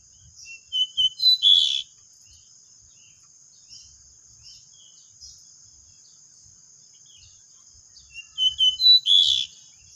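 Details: At home, as though at a song contest, three pied bushchats sing 'ngeplon': a quick run of clear whistled notes early on, a long quiet pause, then a similar whistled run near the end, over a constant thin high whine.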